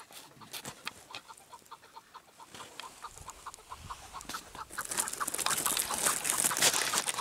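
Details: Chukar partridge giving a steady run of short, clucking notes, about three per second, that keeps a regular beat. Loud broadband hissing noise builds over the last few seconds.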